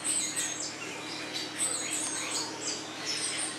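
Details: Captive blue-naped mousebird at a German bird park, Vogelpark Walsrode: a run of sharp, very high-pitched chirps and brief whistles, irregularly spaced, some rising and falling, heard over constant background hiss.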